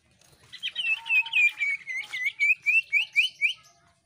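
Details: Cucak ijo (greater green leafbird) shrieking jeritan meant to get other birds singing: a long, even series of about twelve high whistled notes, each a quick downslur, with a faint lower whistle beneath.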